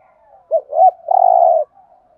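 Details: Spotted dove giving a thúc gù coo in the Thổ voice style, used as a decoy for trapping birds: two short hooked coos, then a longer, steady, slightly buzzy coo, all low and mellow.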